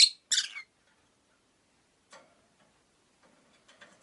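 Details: Captive rosy-faced lovebirds, five birds kept in a cage by a window, give two loud harsh high chirps at the start, then fainter scattered chirps and twitters.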